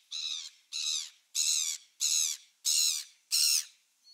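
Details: Gulls recorded on 27 December 2017; six loud, harsh, drawn-out squawks in an even series about every 0.6 seconds, with nothing else audible.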